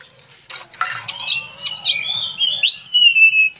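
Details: Oriental magpie-robin singing energetically, a recording meant for tutoring other birds: rich, varied high whistles and sharp slurred notes that sweep up and down, with a long steady whistle closing the phrase.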